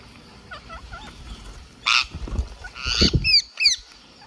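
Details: Green parakeet from India, recorded while feeding, gives thin wavering squeaks, then harsh noisy bursts and two sharp downward-sweeping chirps near the end.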